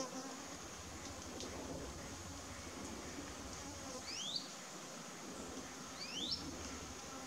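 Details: During courtship dancing for a female in the Amazon, a wire-tailed manakin gives two brisk upward-sliding whistles about two seconds apart, over steady forest insect drone and a low hum.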